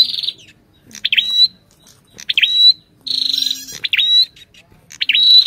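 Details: An Ashy tailorbird and the calling female: buzzy high bursts mixed with quick sharp down-slurred notes, with a faint low steady tone under some phrases.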